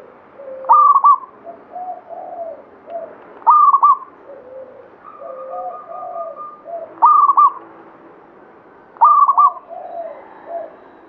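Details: Singing local zebra dove of the Banyumili katuranggan type: four loud trilled, stuttering coo phrases at irregular intervals, interleaved with softer, lower coos and a brief steady note.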